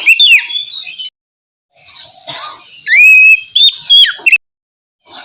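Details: Singing Oriental magpie-robin, used as morning encouragement for a bird that will not sing; looping whistles, a pause, a long level whistle and a few sharp notes before falling quiet.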